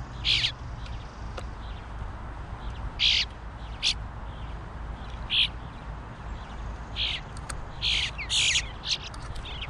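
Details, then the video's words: Bluebird fledgling demanding food: about ten loud, hoarse, clipped squawks at uneven intervals, sometimes doubled, separated by short quiet gaps, over faint low background noise. "Funny bluebird fledgling demanding food when he's knee deep in it!"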